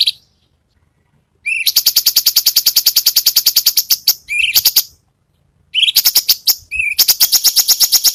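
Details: Cucak cungkok besetan song, used as a master recording for contest songbirds: a rising whistled note opens long, rapid trains of buzzy, high repeated notes, with a pause and then a second burst.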